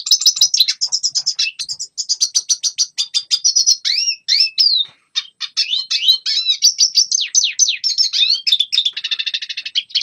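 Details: Red siskin song used to train young birds: long rapid series of high chips and slurred whistles, a brief pause, then more twittering ending in a dry buzzy trill.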